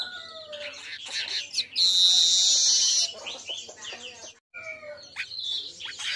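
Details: Asian golden weaver singing at midday, for training other birds: chattering notes and low descending whistles, a strong buzzy hiss of about a second, then scattered chirps and short trills.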